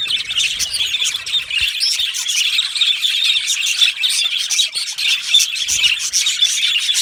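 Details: Yellow male budgerigars in an aviary colony, continuous high chattering with squawky and whistled notes, many birds calling at once.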